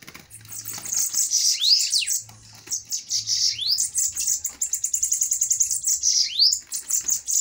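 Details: Two fiery bananaquits dueling: continuous, dense, high-pitched buzzy trills and rapid stuttering notes, punctuated by several sharp rising upsweeps.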